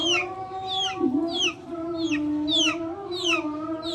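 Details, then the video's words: Backyard chickens make a steady low droning, trilling hum with a brief dip, while high descending peeps sound roughly every half second above it. "Backyard chickens making noise"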